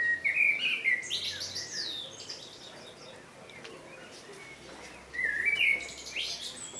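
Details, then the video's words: A common blackbird delivers two separate song phrases, each a mellow fluted warble ending in a high, squeaky twitter, with a pause of about four seconds of faint ambient noise between them. "Blackbird song - Turdus merula - შავი შაშვი"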